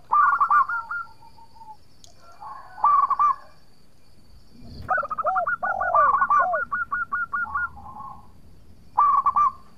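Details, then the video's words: Actively singing local zebra dove used to lure and provoke rival doves; short bursts of rolling coos separated by pauses, then a longer quick-repeated phrase mixed with low downward-swooping notes, over a faint steady high hiss. "Perkutut Lokal Gacor Suara Merduk Cocok Buat Pancingan - Bikin lawan langsung Nyaut!!!"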